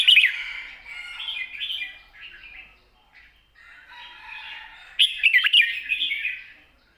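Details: Red-whiskered bulbul singing a long, soft-voiced song with chattering notes in wild-style phrasing: bright warbled whistles in bursts, a quieter middle stretch, then a loud slurred flourish near the end.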